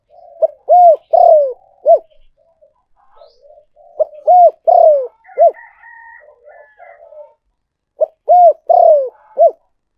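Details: Spotted dove decoy call used for luring: a low cooing phrase of a short note, two rounded coos, a longer falling coo and a final clipped coo, repeated three times about every three and a half seconds, with faint softer cooing between.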